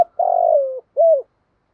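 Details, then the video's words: Decoy spotted dove cooing to draw in wild doves: one long wavering coo that slides gently downward, followed by a short arched note. "chim cu mồi thúc gù bài bản. tiếng chim cu đất kích bổi nhanh nổi gù, cu gáy bài bản giọng hợp bổi"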